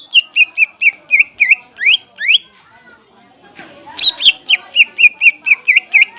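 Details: Greater green leafbird song, a lure for young birds and a tutor for kept leafbirds. Fast clipped chirps give way to two upward-sweeping whistles, a brief pause, then a bright burst and a renewed run of chirps.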